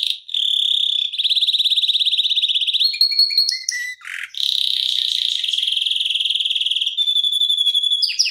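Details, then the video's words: Canary in full 'ngeroll' rolling song, made as a tutor and prompting recording for other canaries. Fast pulsed trills run for seconds, broken by short clipped notes and a harsh burst, then resume steadily. "Kenari Masteran Suara Gacor Ngeroll Panjang Untuk Pancingan Maupun Masteran"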